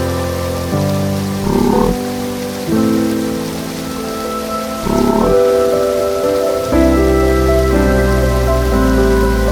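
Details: Rain patters steadily under calm sustained music tones, with soft swells but no animal voices.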